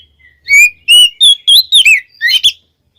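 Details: Kacer, the Oriental magpie-robin, singing to provoke other magpie-robins; a short run of loud whistles, the first rising and drawn out, then quicker notes climbing higher and ending in a rough double note.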